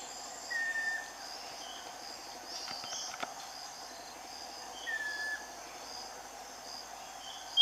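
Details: Scaly-breasted wren (uirapuru veado) singing: two long, pure whistled notes near the same pitch, each dipping slightly, about four seconds apart, over a steady high insect chorus.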